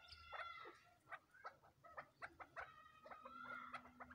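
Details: Crossbred chukar chicks calling in a rapid, uneven run of short, harsh, ringing chirps, some paired or clustered, with a longer steady note near the end over a faint low hum.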